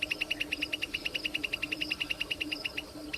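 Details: Plain prinia singing a rapid, even series of short high notes, about three and a half per second, each note buzzy with a fainter overtone above, the series pausing briefly near the end and then resuming.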